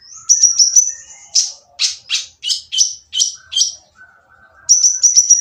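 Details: Rough-voiced sunbird singing to provoke others, opening with a high trill, then a steady run of about seven harsh, falling notes, a faint low twitter, and a closing trill.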